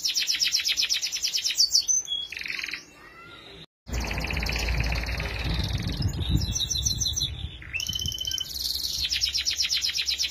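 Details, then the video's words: Canary (kenari) singing nonstop as a tutor recording for young birds still growing: fast buzzy trills and rolling repeated notes, high and bright, briefly broken by a cut, then a rumbling low noise under the continuing song. "Canary singing BURUNG KENARI GACOR UNTUK MASTERAN"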